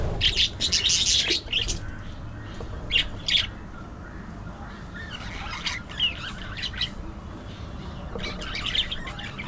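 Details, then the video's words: Budgerigars chattering: bursts of harsh, scratchy squawks and buzzy chirps, mostly high-pitched, in irregular clusters with short pauses, over a low background hum. "Hilarious Budgie Moments: Gossip"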